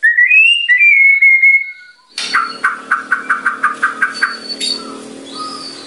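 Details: White-rumped shama singing at full volume, said to provoke other birds: a rising whistle sliding into a level note, then a fast run of repeated clicking, chattering notes.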